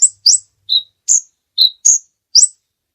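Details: High sunbird notes known as kolibri ninja, used as training song for other birds: alternating upward-flicking squeaks and lower short whistled chips, about two each second, clean and without background noise.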